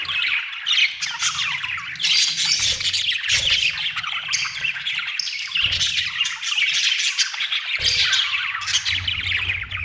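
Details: A flock of budgies squawking and chirping loudly, harsh scratchy notes packed densely with short pauses, over a faint low drone.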